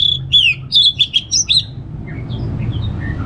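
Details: Brisk ngeplong phrase from an orange-headed thrush: a string of about eight loud, clear whistled notes, some slurred downward, then fading soft high whistles over a low hum.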